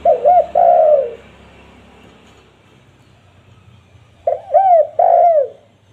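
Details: Spotted dove call intended for luring wild doves: a soft double coo into a longer descending note, then silence, then the same three-part mellow phrase repeated.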